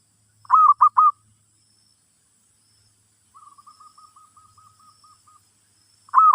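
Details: Zebra dove song played to teach a new bird: three loud, quick, throaty coos, then a long run of soft, evenly spaced cooing notes, and a loud coo again at the end.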